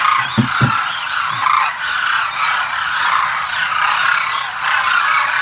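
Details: Demoiselle cranes gathered at Kheechan, Jodhpur, Rajasthan, seen from a conservationist's house; a dense, unbroken chorus of overlapping rolling, honking calls from many birds, with a few low thumps near the start.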